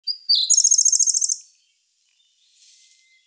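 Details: Siberian blue robin singing in May 2021, filmed with a camera and telephoto lens: a few thin high introductory notes, then a loud, rapid, very high chattering trill lasting about a second, followed by quiet background.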